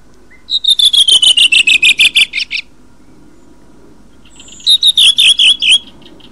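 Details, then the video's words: Redwing singing two phrases: first a rapid run of about fourteen bright clipped notes sliding gradually lower, then after a pause a brief thin whistle and a shorter run of warbled notes; quiet background otherwise. "Tordo sassello canto richiamo"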